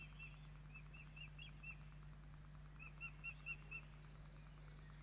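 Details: At a Poole Harbour osprey nest on 8 June 2024, chicks fed by the adults give two bursts of short, bright, slightly rising chirps separated by a quiet gap, over a low mechanical hum.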